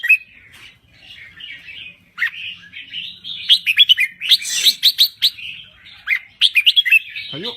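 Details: Thai crested bulbul singing energetically: a run of quick bubbly whistled notes and chatters, rising to rapid loud repeated phrases, with a low hum in the background.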